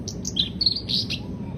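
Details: Brief burst of black-browed reed warbler song, a few high chirps and buzzy slurred notes in quick succession against faint low hum.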